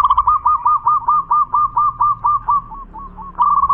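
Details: Champion local zebra dove singing in full voice: a run of rhythmic, slightly trilled coos, evenly spaced about twice per second, fading briefly near the end before a fresh rolling phrase starts.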